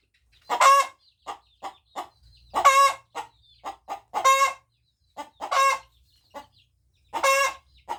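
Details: A hen crows in a steady series of five rough, strident bursts roughly every one and a half seconds, each separated by soft short clucking notes.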